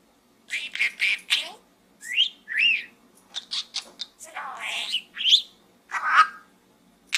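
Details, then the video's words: Pet budgerigar chattering in a small gourd indoors, a lively string of scratchy clicks, curling whistles and buzzy warbles with brief pauses between phrases. "Bird Talk in the small gourd Part 2 - Pedro the Budgie"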